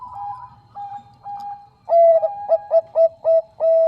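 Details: Bangkok zebra dove, a female calling the male: faint soft coos, then a loud clear phrase of rapid clipped notes and a final sustained level coo.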